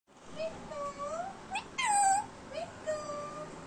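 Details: Pet Indian Ringneck parrot talking indoors: a run of short, voice-like tonal syllables that slide up and down, including one louder, rising-falling squawk in the middle, against a quiet room.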